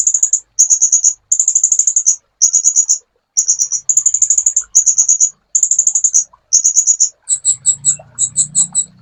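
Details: Sunbird song from a master recording used to train songbirds: very high, rapid buzzy trills in short bursts with brief pauses, shifting into a series of sharp separate chirps at the end over a faint low hum.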